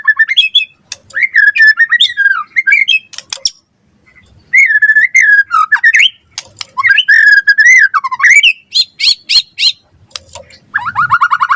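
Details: Murai batu, the white-rumped shama, singing gacor with full isian, meant as a tutor and lure for other birds: rich undulating whistled phrases broken by a short pause, then clipped high notes and a final buzzy trill.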